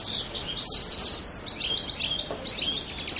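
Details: European goldfinch recorded on the island of Pantelleria on 02/01/2011; a rapid, continuous twittering of high tinkling notes and short buzzy trills, with liquid chirps tumbling together over a quiet background.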